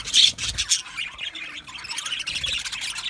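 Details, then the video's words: Australian budgerigars kept as an aviary colony, a loud squawk opening into steady overlapping high chirps and chattering warbles from several birds. "Budgies Chirping sounds"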